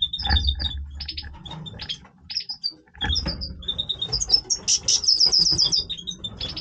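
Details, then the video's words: {'caption': 'Singing goldfinch in breeding voice, delivering fast tinkling twitters, short buzzy trills and a shrill high run of notes, with some low-pitched background thumps.'} "Stieglitz Major Breeding Voice - singing Goldfinch"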